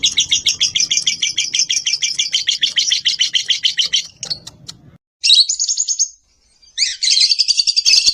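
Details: Morning lovebird master and lure song: an extended rapid buzzy trill for about four seconds over faint low background noise, then short high chattering phrases after a pause.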